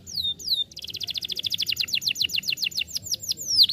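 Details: Canary song, played to get a silent caged bird singing again: rapid repeated chirps near 4–6k in a fast trill, opening with two sweeping descending whistles and ending in longer slurred downward notes.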